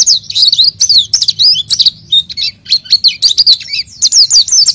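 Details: Oriental white-eye in energetic gacor singing, used as a lure for untrained birds: a rapid, high, twittering stream of thin down-slurred whistles, broken by short pauses, over a faint low hum.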